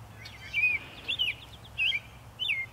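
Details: An American robin singing in early spring, March, in Ithaca, New York, gives four short, clear whistled phrases, each rising and falling, about half a second apart, over a faint low hum.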